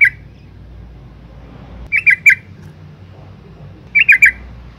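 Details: Female yellow-vented bulbul calling to stimulate males: a short harsh note, then two bursts of three quick chattering notes, each burst brief and clipped, with faint low background hum.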